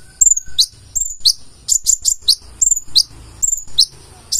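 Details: Purple-throated sunbird (konin), in full-isian song, giving thin, high down-sweeping chips, singly or in quick pairs and triplets, roughly every half second.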